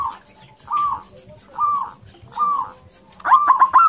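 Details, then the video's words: Local zebra dove male wooing a female, loud and aggressive: four slow, drawn-out wavering coos about a second apart, ending in a rapid run of four sharp notes. "SUARA PERKUTUT LOKAL AGRESIF BIKIN PERKUTUT LAIN EMOSI"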